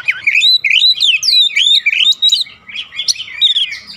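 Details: Oriental magpie-robin in continuous song, played to stir other birds at home into answering; fast looping whistled slurs rising and falling without pause, high and bright throughout.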